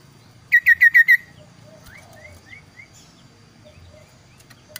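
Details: Kaso-kaso bird showing a varied song: a rapid burst of five loud, clear downslurred whistles, then a softer run of four gliding slurred notes and faint scattered chips.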